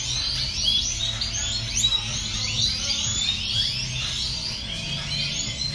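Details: A crowd of European goldfinches in an aviary twitters at once, a dense, high, liquid tangle of tinkling notes and quick chirps, over a low steady hum.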